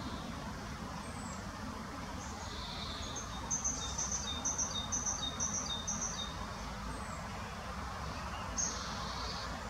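A young fieldfare gives a quick run of six thin, very high notes, about two a second, over a steady rumble of distant traffic.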